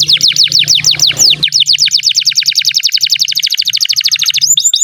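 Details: Canary song meant to tutor young and silent canaries: a long, rapid series of loud descending whistled notes repeated about eight to ten times a second, softening slightly before a few final sweeps, over a low hum at the start.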